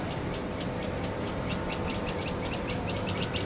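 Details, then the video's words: Common tailorbird gives sharp, high chipping notes, several each second, in an insistent alarm series over a steady low rumble of traffic; the bird fears cats and is very noisy while feeding its chicks. "Tailor bird fear cats.Makes lot of noise while feeding chicks."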